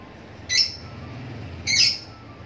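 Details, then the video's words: Lovebirds making two short, harsh, high-pitched squawks a little over a second apart, with quiet background hum between them. "love birds sound"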